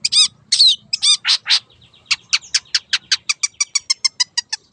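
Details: Wild long-tailed shrike, lively lure song in a fast rolling style: several loud harsh notes, then a quickening run of sharp, evenly spaced ticking notes, roughly five per second.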